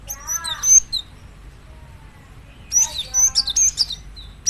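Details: High chirping phrase of a cinereous tit (gelatik batu), a short sharp burst, a quiet pause, then a longer busy cluster of whistled and clicking notes.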